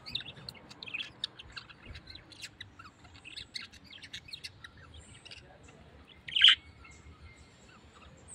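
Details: Parrot making soft scattered high chirps, then one loud, bright squawk after about six seconds, over a quiet low background hum.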